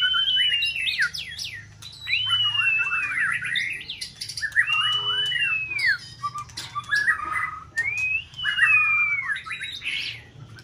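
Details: White-rumped shama tested for song competition, in peak season, sings to stimulate another bird. Four phrases of arched sustained whistles, each with fast falling trills and chirps, are broken by short pauses and clicks.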